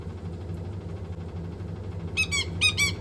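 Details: White-bellied caique kept as a pet, excited by a washing machine and its water sounds, giving rapid harsh squeaky calls in quick bursts after quiet machine hum.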